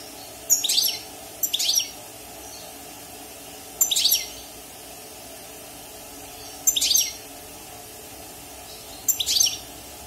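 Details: Wild-caught European goldfinch singing in a cage six months after its moult: five bursts of rapid, tinkling high twitters, each under half a second, spaced irregularly one to three seconds apart, over soft indoor hum.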